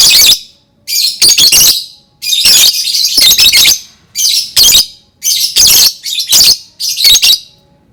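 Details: Lovebird chattering to set off singing in other lovebirds: loud, harsh, high-pitched squawks in clustered bursts of two to four, with short breaks, continuing steadily throughout.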